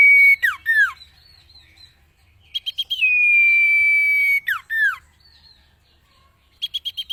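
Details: Cage-bird training song of the common iora. Falling double notes, a chip run and a long even whistle are followed by two more descending slurs, and a new chip series begins at the end.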